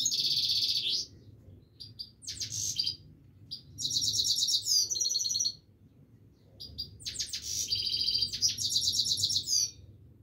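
A Himalayan goldfinch sings in bursts of bright, tinkling twitters and buzzy trills, high-pitched and rapid, with short pauses; a low hum runs underneath.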